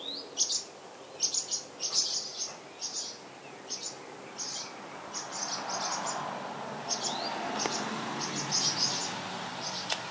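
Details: Eleven-day-old purple martin nestlings in Spring Branch, Texas, close to the camera, give rapid, high, scratchy chirps in repeated bursts, with a low murmur of background noise.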